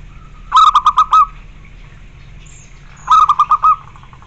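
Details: Zebra dove cooing song, a kept bird: two bursts of rapid, rolling, pulsed coos about 2.5 seconds apart, each a quick stutter of five or six notes ending in a longer held note, over low background hum.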